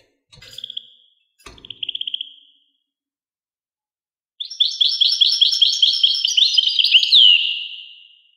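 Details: Two short buzzy trills separated by silence, then a European goldfinch bursts into a rapid, tinkling twittered phrase of varied chirps that closes with a descending slurred note.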